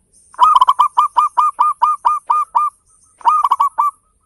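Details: Loud-voiced local zebra dove with a beautiful beat, sung as a lure to prompt others: a rapid staccato cluster of clipped coos slowing into evenly spaced notes, a pause, then another quick cluster.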